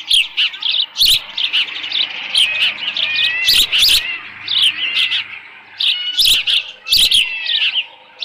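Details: Osprey calling from the nest in mid-June 2018, late morning, with leftover fish at the nest; high piping chirps in uneven bursts, some notes sliding upward, mixed with occasional sharp clicking thuds.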